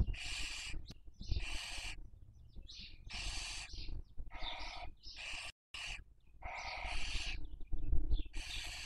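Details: Nest-box webcam recording of Barn owls rearing young, Cabañeros National Park, Toledo/Ciudad Real, Spain, breeding season 2023; repeated loud wheezing hisses roughly every second, interleaved with short wavering squeals and a constant low hum.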